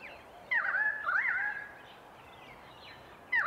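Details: Pied Currawong calling in Sydney, Australia: one loud, wavering whistled phrase with rough, gurgling overtones lasting about a second, then quiet, with the start of another phrase at the very end.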